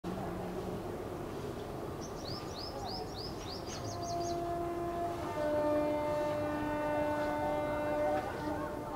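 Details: Male purple sunbird in breeding plumage, 6 April 2023: a quick run of about seven thin, high, upslurred notes, followed by a long, droning train horn and rumbling engine noise.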